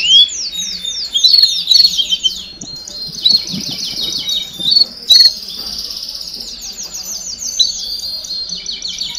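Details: Canary baderna song intended to tutor young birds: rapid high trills interrupted by several loud clipped whistles, then a long buzzing rolling trill that runs on to the end.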